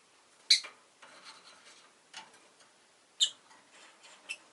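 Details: Rosy-faced lovebird giving piercing, high, abrupt chirps spaced a few seconds apart, with softer scratchy rustling sounds between them.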